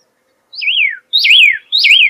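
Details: Pyrrhuloxia singing: three clear whistled notes, each sliding down then briefly up in a wavy downward slur, spaced about half a second apart, with no other sounds.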